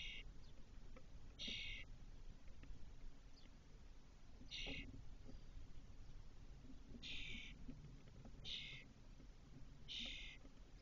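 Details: Inside a cork-oak nest box in Doñana National Park, Spain, 2023, Spotless starling chicks with the returned eldest fledgling. Six harsh, hissing rasps at irregular one- to three-second intervals, with light tapping and scratching noises.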